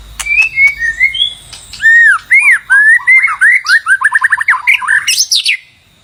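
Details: Song of the White-rumped shama, used by trappers to attract a mate: clear falling whistles, then arched notes, then an accelerating series of short rising chips ending in high twittering.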